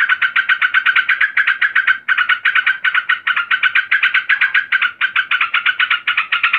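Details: Agitated female yellow-vented bulbul calling the male, a rapid string of scratchy, chattering notes delivered almost without break, nearly four per second, with only short gaps.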